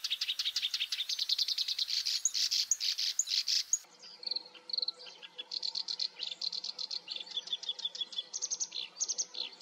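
A black-browed reed warbler sings a fast, scratchy chatter of high, repeated chirps.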